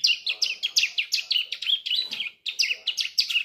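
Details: Young Sunda streaked-tit (ciblek) just beginning to learn its song, kept as a cage bird: a rapid run of high, sharp chirped notes, about four per second, with a brief pause before the chirping resumes.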